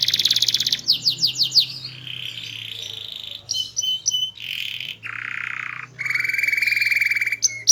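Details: Energetic small-bodied canary with a loud, melodious, varied song: rapid sweeping notes, then a string of distinct tours of steady whistles and buzzy rolls, each lasting about a second, over a faint low hum.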